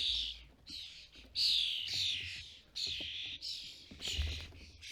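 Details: European starling adults and fledglings at a custom-built feeder in the UK. Loud, hoarse, hissing calls follow one another closely, each lasting about half a second, over a faint low background hum.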